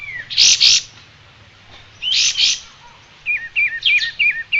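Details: Striated grassbird song for training cage birds: paired loud chirp bursts, then a series of quick zigzag whistles that step up and down.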